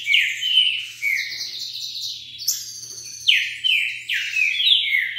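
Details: A wild green-winged saltator passing by sings about 40 songs per minute, rich, loud whistled phrases that slur downward in quick repeated bursts, with a faint low hum underneath.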